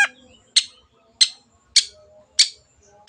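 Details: Long-tailed shrike lure recording to encourage birds to sing: short, harsh, scratchy notes repeated evenly about every 0.6 seconds, with faint twittering in the background.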